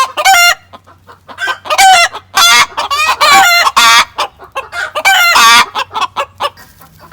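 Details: After the white hen laid her egg in the coop, the excited flock cackles: repeated loud raucous squawks between quicker clucks, with a guinea fowl in the background.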